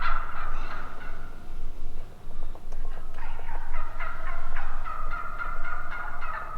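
Wild turkeys gobble in rapid, rattling bursts, the calls overlapping and running together almost continuously, with a steady low hum underneath.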